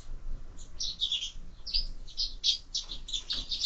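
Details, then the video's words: Sparrows feeding at feeders fixed to a window, chirping in quick, uneven bursts of bright high notes that overlap almost without pause. "Воробьи в кормушке"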